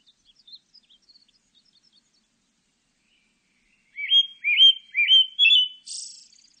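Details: Pale thrush singing: after a near-silent stretch with faint high ticks, a phrase of four quick slurred whistles rising and falling, ending in a hissing, buzzy high note.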